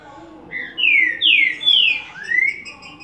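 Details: Trinca-ferro, the green-winged saltator, sings a Bacural or Bom dia seu Chico style phrase: four loud, clear, slurred whistles, each sweeping downward, the last rising, delivered in quick succession over quiet background.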